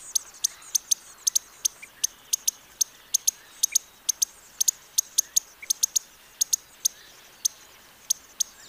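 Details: Costa's hummingbird, a desert species of the Sonoran and Mojave Deserts and coastal scrub, giving sharp, very high ticking chips, single or in quick pairs and triplets, repeated irregularly several times a second over a quiet background.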